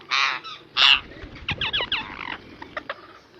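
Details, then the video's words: Two loud rasping squawks from a pet ringneck parrot lead into a quick string of short, bouncy chirping notes. The notes fade into softer clicks. "Ringneck parrot"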